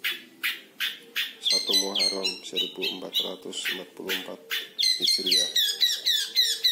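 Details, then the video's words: Five-month-old caged long-tailed shrike practising lovebird and canary imitations: shrill buzzy notes and quick downslurred squeaks repeated rapidly while a person talks in the background. "Cendet Umur 5 Bulan Belajar Nembak Lovebird Dan Kenari Secara Fasih"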